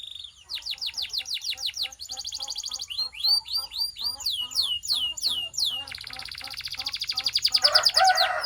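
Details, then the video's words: Belgian canary in song, played to warm up canaries and stimulate females: a brief flat tone, runs of quick high downslurs over a soft lower ticking, then a dense rapid trill that rises in loudness to the end. "Corner to Warm Up Belgian Canaries and Fire Up Females"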